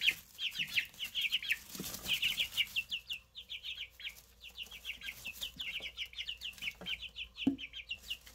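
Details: Newly hatched Easter Egger chicks, one blue-grey, one white, one yellow-brown, call in continuous rapid streams of high, thin, falling peeps with occasional faint taps.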